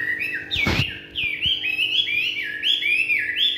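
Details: Evening song of a Chinese hwamei: clear, fluty whistled phrases that dip and rise in a wavy pattern, delivered continuously, with a sharp knock heard near the start.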